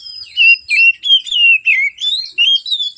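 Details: Oriental magpie-robin in energetic morning song, used to stir reluctant birds into singing: an unbroken stream of about eight sweet, bending whistles, each rising or falling.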